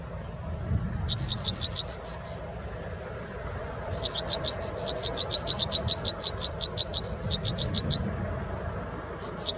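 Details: American robin chicks in their nest at feeding time: a brief run of quick, high chirps, then a longer, busier stretch of rapid overlapping notes, over a steady low background rumble.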